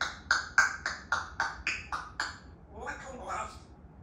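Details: A pet African grey parrot talks: eight quick, clipped, voice-like syllables at about four per second, then a slurred run of mimicked speech sounds.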